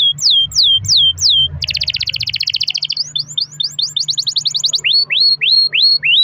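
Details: Steadily singing domestic canary, played as a lure for other canaries: three slurred whistles, a dense buzzy roll, quick repeated upsweeps, then slower, louder rising whistles.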